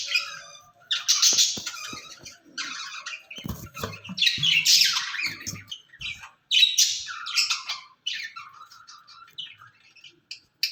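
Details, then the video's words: Two ringneck parrots kept in a cage talking to each other, heard as fairly quiet bursts of hoarse, scratchy chatter and squawks separated by short gaps. "Speaking Parrots in Cage"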